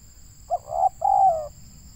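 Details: Spotted dove, a local bird recorded during trapping in Indonesia. A single three-part coo: quick opening note, a medium coo, then a longer gently falling coo, against a quiet background with a steady thin whine.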